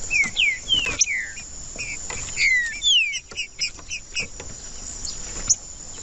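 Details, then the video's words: Green-winged saltator (trinca-ferro) singing, used to warm up a cold bird: a few loud, slurred whistles sliding downward, then scattered short notes, over a steady high-pitched whine. "TRINCA-FERRO CANTANDO/ESQUENTAR TRINCA FERRO FRIO"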